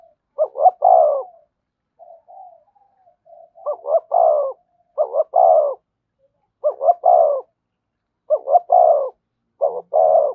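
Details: Spotted dove singing in thổ voice, thúc and kèm styles: six low cooing phrases, each two short clipped notes and a longer falling coo, separated by gaps of roughly one second, with soft murmured coos between.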